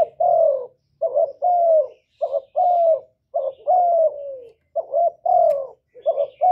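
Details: Spotted dove cooing loudly, recorded directly without background noise and played to stimulate kept doves to sing: low, mellow, slightly descending coos in short groups of two or three, repeated steadily with brief pauses.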